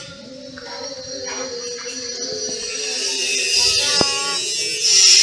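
Steady high hiss with faint humming tones and a sharp click, but no animal calls.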